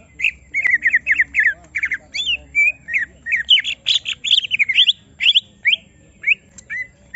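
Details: Greater green leafbird being provoked so it gives its full song: rapid series of loud, varied chattering and whistled notes with sharp upward and downward slides, delivered in dense bursts with short gaps.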